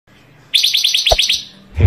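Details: Panca Warna bird in full song, its varied song used for training other birds and as a lure for trapping; a quick buzzy trill of about eight rapid high notes, then one abrupt lower note, with faint background hum.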